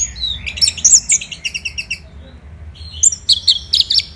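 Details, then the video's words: Orange-headed thrush from Bali, Indonesia, kept as a songbird, singing in the morning: rapid bright chirps and whistled notes high in pitch, in two bursts separated by a short pause, with a low hum underneath. "ANIS MERAH Gacor"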